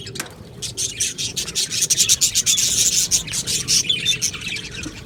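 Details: Australian budgerigars singing together in an aviary colony, a steady, rasping high warble with rapid ticking chirps that grows denser in the middle.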